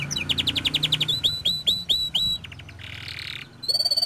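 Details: Young canary in vigorous song: a rapid series of high chirps followed by slower hooked whistles, a short buzzy rattle and a final bright trill, with a low hum in the background.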